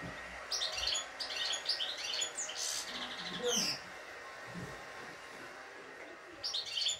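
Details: Caged European goldfinch, described as a good singer with clean 'şak şak' song free of faults: bursts of fast twittering, buzzy notes in short groups, with pauses and faint room sounds.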